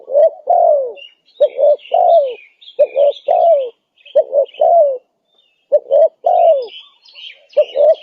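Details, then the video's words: Spotted dove in lively 'gacor' calling form, a recording used as a lure to attract wild doves: low, mellow cooing phrases of two short notes and a longer falling coo, repeated about every one and a half seconds, with faint higher chirps of other birds. "Suara pikat~burung tekukur gacor"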